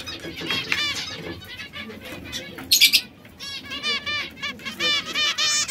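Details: Three canaries kept together, red, yellow and brown, that sometimes squabble: soft twittering, a sudden sharp burst of noise, then fast rolling trills.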